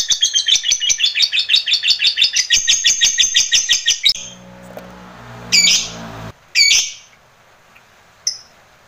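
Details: Lovebird kept as a master recording for training other lovebirds, giving a long ngekek trill: rapid harsh chattering notes repeated for about four seconds, then a low hum and a few separate squeaky calls.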